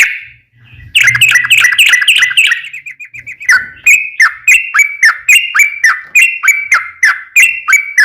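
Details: Yellow-vented bulbul lure song, long rolling style: after a faint opening, a burst of fast chattering whistles, a brief trailing pause, then evenly spaced liquid two-note phrases repeated roughly three times a second.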